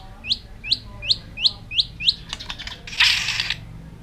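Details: White-rumped shama in a long-stringed aggressive display meant to excite other birds: six sharp upslurred whistled notes repeated about every third of a second, followed by clicks and a loud harsh rasp.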